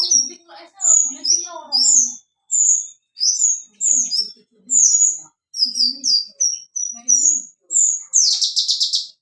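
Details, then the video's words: Javan bush lark singing energetically as it dances on a stone, a crystal-toned voice: high thin whistled and slurred notes in quick phrases, ending in a dense buzzy burst, with faint low sounds in the background. "burung branjangan javanica gacor menari di atas batu suara kristal"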